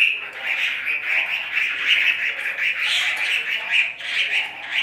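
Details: Chinese hwamei kept in a cage, giving a dense, rasping chatter that runs on without pause, with brief brighter accents mixed into the steady buzzy sound.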